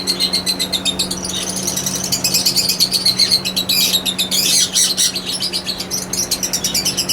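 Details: Yellow ringneck (rose-ringed) parakeets, several together, give constant high, sharp chirps and squawks, about four a second, over a low steady hum.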